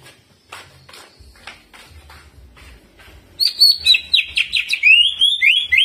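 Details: Jamtrok song of a Greater green leafbird with ciblek mimicry and rolls: faint scratchy sounds at first, then loud, sharp, rapid whistled chips and swoops, about four per second.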